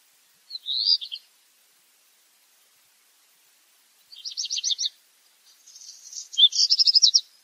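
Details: Black redstart singing in separate short bursts: a brief rattled phrase, a long silence, then another rapid trill, followed by a scratchy crackle leading into a final loud rattling series.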